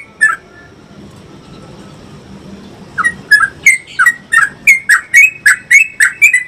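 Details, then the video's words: Yellow-vented bulbul gives a long rolling song used as a tutor recording: a single bubbly note, a pause, then a long fast run of about a dozen liquid, chortling notes, roughly four each second. "trucuk ropel panjang"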